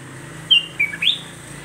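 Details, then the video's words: One short whistled phrase from a sooty-headed bulbul (kutilang jawa), sung to stir up rival bulbuls: a high slurred note, a lower dip, then an upward-sweeping flourish, with a steady faint hum behind it. "Hanya hitungan detik kutilang lain pasti ikut emosi"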